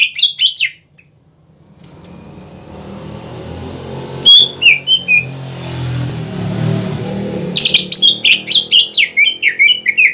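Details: Greater green leafbird lure song to rouse other cucak ijo: quick chirps at the start, a long rumble of passing traffic through the middle, then rapid descending chirped notes returning loudly near the end.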